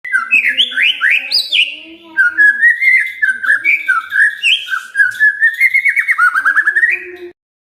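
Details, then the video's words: Murai batu (white-rumped shama) from Medan singing a loud, varied whistled song: quick sliding and swooping notes, then a long run of rapid, rising chirped trills near the end, with a faint low steady hum underneath. "burung murai batu Medan"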